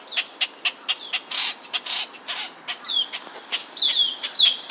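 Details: Baby grackles give rapid, harsh, high chattering begging notes, about five per second, with a few sharper descending squeals near the end.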